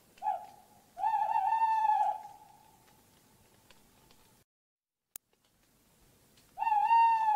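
Tawny owl giving a brief note, then a long, slightly wavering hollow hoot that fades away; after a pause and a faint click, another long hoot begins.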